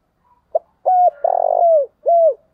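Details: One thúc bổi phrase from a Vietnamese decoy spotted dove: a brief click-like note, a steady coo, a buzzy trembling drawn-out coo sliding down, then a last drooping coo.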